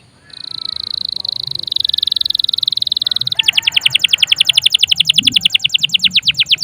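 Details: Canary song used to coax other birds to sing or to tutor them: a long steady buzzy note that swells, then breaks into a fast, loud, evenly repeated trill.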